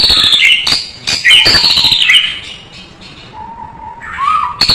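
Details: White-rumped shama song recorded for tutoring, full and rich: dense scratchy, buzzy phrases with high whistles, then a pause, a soft low steady whistle rising at its end, and a final sharp burst.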